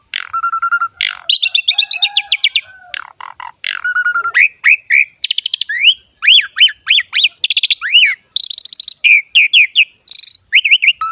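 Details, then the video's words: Varied Asian pied starling song: nasal held notes, rapid chattering runs, then a series of rising and falling whistled slurs, interspersed with harsh squawks. "KICAUAN BURUNG JALAK SUREN GACOR FULL ISIAN MEWAH"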